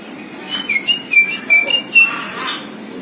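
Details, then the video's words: Robin trained on all songbirds producing a brief string of about six clear whistled notes in quick succession, each slightly sliding in pitch. "si Robin masteran semua burung kicau"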